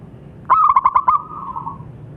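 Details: Single call from a local zebra dove: a quick string of about six clipped, pulsing coos that trails into a softer, fading purr.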